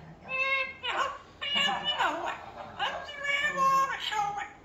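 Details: Amazon parrot giving a run of nasal, strongly harmonic, speech-like calls that rise and fall in pitch, four phrases in under five seconds with short gaps between them.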